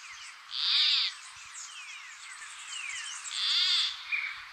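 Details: In northern Peru, an endangered Peruvian plantcutter repeats a wheezy, croaking buzz twice, close to three seconds apart, the second followed by a short extra note, with many faint whistling birds behind.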